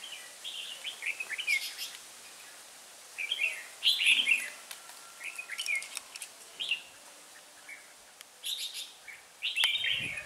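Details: Hòa Bình decoy red-whiskered bulbul at a trapping site, 18 December 2016, in 'ché' song: bright chattering phrases spaced a second or two apart, with a rustle near the end.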